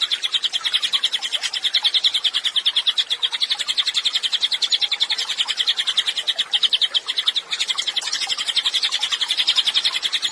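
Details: Steady, vigorous singing of a pygmy tit recorded for training songbirds: continuous high-pitched trilled chirping at a quick pulse lasting ten seconds, slightly wavering in loudness.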